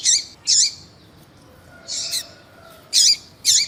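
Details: Caged lined seedeater used to warm up a male, a female calling: short sharp high chirps with a lower downward tail, given in spaced bursts with quiet gaps, plus a faint low hum.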